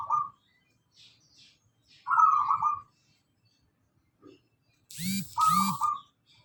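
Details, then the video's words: Local zebra dove song, used as a lure for cage birds: a short trilled coo, then a longer purring coo, followed near the end by a louder double call with a different, harsher tone. "pancingan perkutut lokal gacor"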